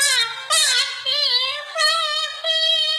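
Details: A cockatoo, asked to sing, sings a mimicked tune: four drawn-out, wavering, mid-pitched notes rich in overtones, each about half a second long, with nothing else heard.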